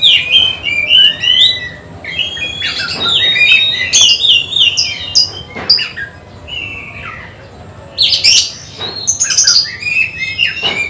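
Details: Oriental magpie-robin undergoing a mental test before a songbird contest delivers fast sequences of varied whistles and chips, some phrases warbled, separated by short quieter pauses.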